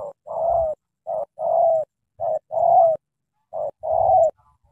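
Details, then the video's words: Spotted dove from Cà Mau, Vietnam, in the thổ tơ style, repeating four paired phrases. Each is a brief note before a full, sustained, gently falling coo. A soft low rumble accompanies each phrase. "Thổ tơ âm khủng chim đủ bài bản"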